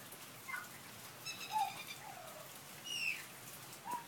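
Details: A pied butcherbird (Cracticus nigrogularis) sheltering from rain under verandah eaves sings and mimics, including car alarms and a cat's meow: scattered clear, fluty notes at shifting pitches, some sliding, with short harmonic phrases between, over faint hiss.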